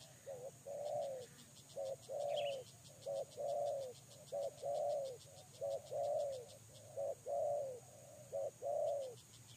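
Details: Lure-bird spotted dove cooing in rhythmic pairs: a brief note followed by a drawn-out, slightly descending coo, about every second, with faint rapid high ticking in the background.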